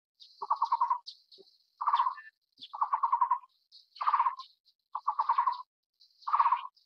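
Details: Taiwan barbet, a bird endemic to Taiwan living in low to mid-elevation broadleaf forest: low, hollow trilled phrases of rapid pulses repeated roughly every second, over a steady high-pitched insect-like hiss.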